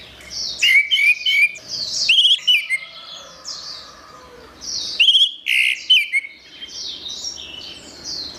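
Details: Orange-headed thrush singing in a master recording used to train songbirds: bright whistled phrases and quick slurred notes in two main bursts, with pauses filled by softer, continuous high chirps in the background.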